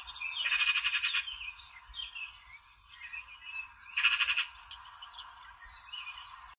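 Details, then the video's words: A magpie, dancing and singing, gives a rambling mix of scratchy, warbled notes, broken twice by loud, harsh rattling bursts of about half a second each. "MAGPIE Dancing and Singing"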